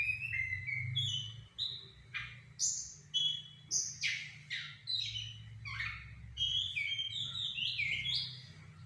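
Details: Sumatran laughingthrush song used to draw an answering bird: loud, varied whistled phrases in bursts roughly every half second, mixing rising slurs, sharp downward notes and bright high whistles, with a faint low hum beneath.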